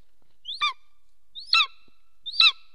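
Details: Golden eagle calling while mating at its nest in Soomaa National Park, Estonia, 17 March 2024, mid-morning, filmed by a nest camera; three clear, downslurred yelping notes about a second apart.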